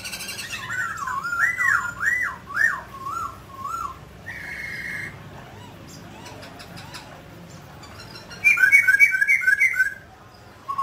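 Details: A mutant grey laughingthrush sings while dancing, giving looping, wavering whistles that rise and fall, a sustained buzzy note, softer warbles, and ending in a loud burst of rapid repeated whistled notes.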